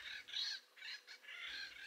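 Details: A family group of Acorn Woodpeckers in Mexico, a species tied to oaks and acorns, gives about three harsh, nasal, raspy calls in quick succession, high-pitched and grating, with a faint hiss between them.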